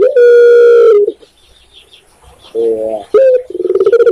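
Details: Spotted dove, called tekukur in Indonesia: a long loud steady coo that fades, a quiet gap, a short softer coo, then a sharp note starting a quick run of pulsed coos.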